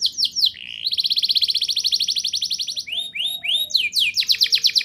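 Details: Canary in rolling song to get young canaries singing: quick rising sweeps, then a long steady high trill, a few lower slurred whistles and another rapid trill of rising notes.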